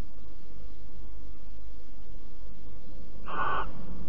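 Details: A barn owl in Alphen, 5 September 2019 at 09:46, during cuddling, gives one short, harsh, hissing screech lasting under half a second, near the end, over a steady low rumble.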